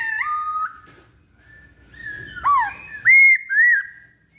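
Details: Masked laughingthrush (poksay Hongkong) lure recording. It opens with fainter level whistles, then three loud, clear whistled notes: a sharp drop and two short rising-then-falling slurs.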